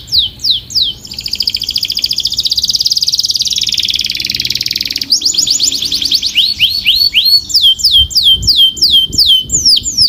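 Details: Canary song: a few rapid falling whistles, a long, fast buzzy trill of about four seconds, then quick sweeping notes that repeat several times per second.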